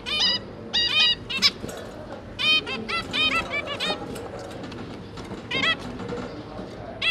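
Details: Pair of zebra finches tending three juveniles: rapid series of loud, bright nasal beeps, often doubled or tripled, crowding the first half then spacing out, over faint hum.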